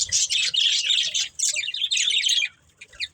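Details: Playing, eating pet budgerigars make rapid high twittering chirps in quick bursts that stop abruptly, leaving a short quiet tail.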